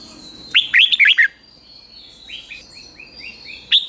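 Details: Caged red-whiskered bulbul at morning song practice: a quick loud phrase of five slurred whistles, followed by a faint series of soft rising notes from farther off and one final sharp note.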